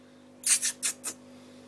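A lovebird gives four harsh, shrill chirps in quick succession, about a fifth of a second apart, over a faint steady indoor hum.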